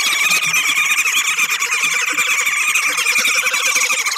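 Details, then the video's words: Woodhoopoe group at a bird feeder in South Africa, cackling loudly while bobbing to defend its territory: a dense, harsh, rapid chattering chorus that runs without pause for the whole stretch. "Woodhoopoes Cackling Calls and Bobbing"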